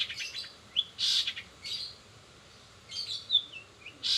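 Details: Long-tailed shrike in 'rol spid' style with fill-ins copied from greja BR, greja restu, sogon and kenari (canary): scattered bright, high chirps and short rising slurs separated by brief pauses.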